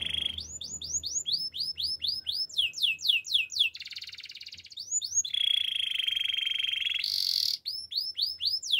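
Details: Canary training song: a long sequence of upswept whistled notes about four per second, a buzzy rattle, more whistles, then a steady ringing trill and a harsh burst before whistles resume.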